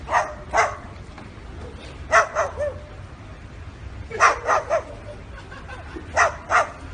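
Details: Parrot imitating dogs: clusters of two to three sharp bark-like bursts, repeated every two seconds or so, loud and raspy against low steady hum.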